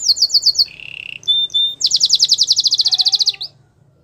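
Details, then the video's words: Canary, a Belgian singing canary, singing a fast varied song: high rapid trills, a lower buzzy trill, clear whistled notes, then a long bright rapid trill and a short low whistle, faint low hum behind. "The belgian singing canary"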